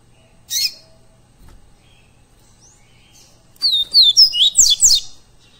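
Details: Double-collared seedeater (coleiro pardo) recorded live for training captive birds: a lone sharp chip, a pause, then a burst of whistled descending notes running into quick buzzy slurs.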